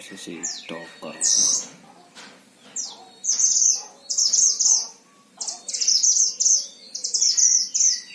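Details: Oriental white-eye, an actively singing bird kept as a tutor songster in Sragen, Central Java, Indonesia: bursts of high, thin, buzzy chirping phrases repeating in quick runs, with a man talking briefly at the start.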